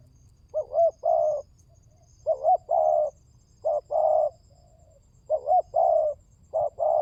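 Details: Spotted dove lure call, known as pancingan tekukur, meant to stir silent birds to call: a clipped double coo then a drawn-out purring coo, four phrases in quick succession over low background hum.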